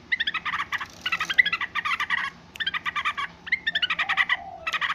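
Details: Yellow-vented bulbul giving noisy calls: rapid bursts of bubbly, stacked chattering notes in quick clusters with short pauses, plus one slurred whistle.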